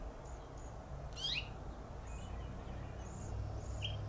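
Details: A male house finch, perched in a flowering plum tree in Pacific Grove, California, gives one sharp, downslurred contact chirp, followed by a few faint thin high notes over a steady low rumble of background noise.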